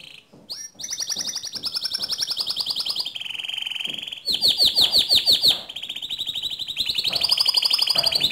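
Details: Canary song used to get another canary singing: a chain of rolling trills at varying pitches, including a burst of rapid chopped notes, sustained for over seven seconds.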